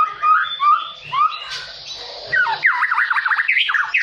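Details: Provoked by a rival, a white-rumped shama sings in fighting style: a few drawn-out whistles and a buzzy burst, then a fast string of repeated V-shaped, swooping notes.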